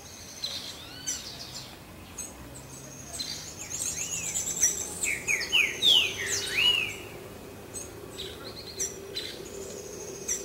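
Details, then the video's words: Green-winged saltator singing while mating: bright slurred whistles rising and falling in the middle of the recording, surrounded by many overlapping chirps from other birds and a low rural background hum. "TRINCA FERRO CANTANDO E GALANDO"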